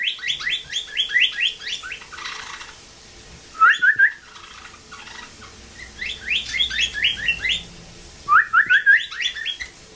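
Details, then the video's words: A rehabilitated blue jay copying a northern cardinal's song, with repeated bursts of quick downslurred notes alternating with short runs of rising whistles over about ten seconds, with faint rustling between phrases. "Bluejay Imitates Cardinal"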